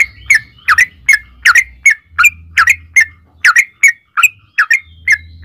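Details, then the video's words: Yellow-vented bulbul used as a lure to get other bulbuls to sing: irregular sharp, upward-slurred chirps, sometimes in pairs, over a steady low hum. "trucukan gacor ROPEL PANJANG buat pancingan trucukan agar bunyi"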